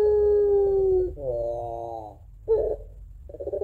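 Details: Home-kept Barbary dove singing its long 'crying' two-note coo, a song used to lure other doves: the tail of a sustained low hooting coo, then short quavering notes and a brief break before another wavering coo begins.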